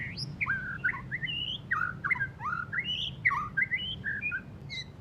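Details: White-rumped shama after moulting, still giving rough twittering song: a rapid run of varied whistled phrases, slurred notes rising and falling and jumping between pitches, with steady low hum beneath.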